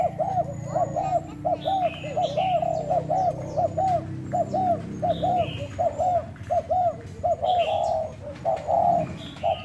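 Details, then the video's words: Decoy spotted dove, Thai type, in a cooing test on 1 November: a long, rolling series of short arched coos in pairs, a few fuller notes near the end, with light high chirping from other birds. "Mồi trần thái gù thử"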